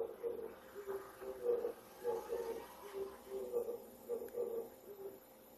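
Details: Male Oriental turtle dove in Japan cooing at daybreak in early September, breeding-season song seeking a female and marking territory; soft, low, hollow coos in grouped phrases of two and three notes, repeated steadily.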